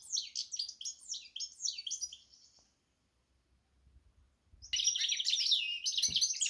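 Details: Goldfinch x canary hybrid gives quick, high chirping phrases, falls silent for about two seconds, then resumes with a dense, buzzy warble.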